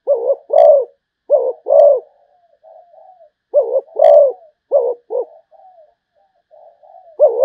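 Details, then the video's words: Zebra dove cooing in repeated phrases of two or three rich, rolling notes, each group followed by soft trailing murmurs, about seven phrases in total. "chim cu gáy malaysia/ cu gáy malaysia"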